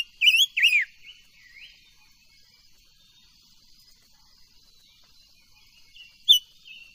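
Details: Silver-eared mesia singing for voice training: two loud slurred whistles at the start, the second dropping sharply, then near silence with faint notes until one bright whistle near the end.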